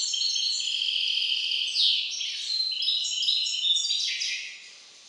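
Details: European goldfinch hybrid kept by a breeder of ornamental and song birds, delivering song variant IV: a loud, continuous stream of fast, high twittering and tinkling notes with short buzzy slides, ending quieter.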